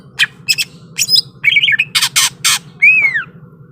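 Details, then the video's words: Greater green leafbird singing in fighting mood: loud rasping broadband bursts alternating with a short chattered phrase and a final clear, arched whistle, with a constant low hum beneath. "SUARA BURUNG CUCAK IJO SIAP TARUNG"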